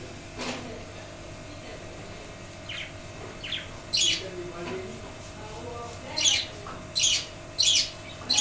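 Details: Caged budgerigars following the male father bird's death, one chick in the nest box: quiet, faint sounds at first, then loud harsh squawks arriving from mid-way, four in the last two seconds.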